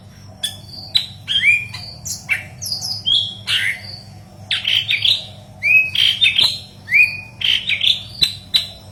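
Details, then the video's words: Energetic gacor song of a yellow-headed leafbird, meant as tutor material for green leafbirds: varied chattering phrases, bright rising whistles and sharp ticks in a continuous stream, with low hum behind. "Burung Murai Daun Kepala Kuning Gacor"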